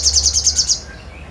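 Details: Sogon giving a brief rapid high trill of about seven notes while singing energetically (gacor), ending with a low steady hum.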